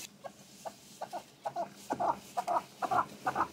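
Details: A hatched male red-billed partridge giving low, soft clucking notes in paired bursts, about two per second, growing slightly louder toward the end.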